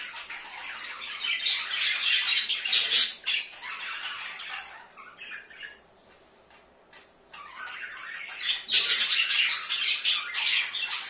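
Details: Pet budgies kept at home give busy, scratchy warbling chatter with squeaky notes. It fades to near silence in the middle, then bursts back loudly.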